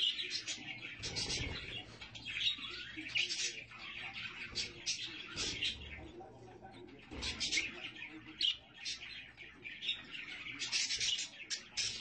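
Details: Budgies with chicks: busy, high twittering and squeaky chirps with scattered sharp clicks and rustles, the chatter rising and falling in loudness.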